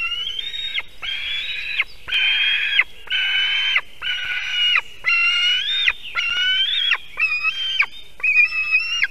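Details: Young white-tailed eagle begging at its spruce-top nest in Kurzeme, Latvia, at dawn on 18 July 2023 while a parent perches nearby; a steady series of loud, harsh, slightly rising screams, each under a second, following one another closely.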